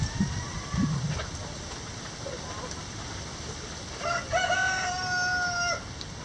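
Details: Rooster crowing in the rain: a faint, short crow early on, then a loud, long drawn-out crow with a steady held ending, over constant rain noise and soft clucks.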